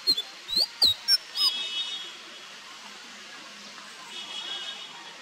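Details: Indigo flycatcher, a species of Indonesia and Malaysia: a quick series of five or six thin, very high chirps, some slurred up or down, packed into the first second and a half, then only soft hiss.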